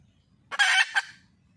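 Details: A single coarse, grating squawk with a short note after it, from a wild red junglefowl hen calling for a male.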